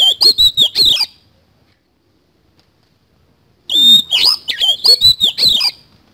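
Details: Oriental magpie-robin (kacer) singing continuously in the 'isian kasan' style, played as training therapy to get kacer to sing. Two bursts of rapid, sharp, varied whistled and chattering notes are separated by about two and a half seconds of silence.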